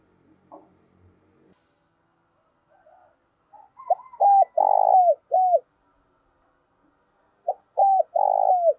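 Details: Decoy spotted dove used to draw in wild doves, giọng thổ style. After faint knocks and soft notes, a low cooing phrase: hooked coos, a long purring coo, a falling end note. A second phrase begins at the close.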